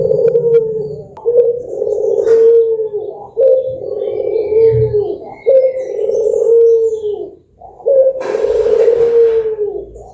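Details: Dove song played to lure birds into singing: low, mellow coos in phrases repeated about every two seconds, each a rolling hoot with a stressed middle note, with faint higher chirps and a brief rustle.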